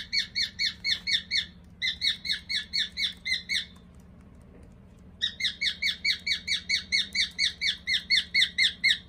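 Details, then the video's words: Pet cockatiel, likely a young male, marching indoors with its chirped walking song: regular short piping notes that stop for a moment twice, the longer gap lasting over a second, before the chirping resumes. "オカメインコ オカメ行進曲編"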